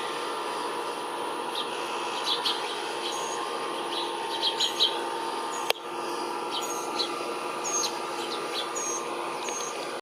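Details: Migrating varied buntings at a backyard feeder with white millet give scattered, thin, high chip notes, single or in quick pairs, over a steady background hiss with one sharp click.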